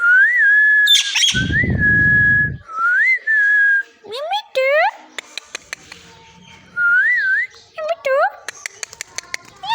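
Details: Talking parrot giving level whistled phrases, some dipping or rising, plus stacked harmonic upward sweeps like mimicked syllables. A low rumbling noise briefly intrudes, and scattered clicks follow.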